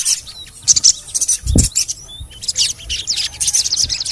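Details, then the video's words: Crimson sunbird (sogon) giving scattered high chirps and short rapid twitters, with a few thin whistled notes and a soft thump. The recording is played to coax silent birds into calling. "TERAPI SOGON MALAS BUNYI❗PAKE AUDIO INI DIJAMIN BURUNG SOGON MANAPUN PASTI IKUT BUNYI GACOR NGLEPER"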